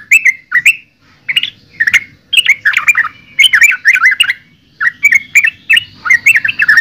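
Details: Yellow-vented bulbul singing in lively, gurgling phrases of several wavering notes each, separated by short gaps, loud and near, over a soft low-pitched background rumble.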